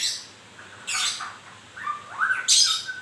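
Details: Moulting white-rumped shama giving short harsh high bursts alternating with lower sliding whistles, a few loud phrases with quiet gaps between them.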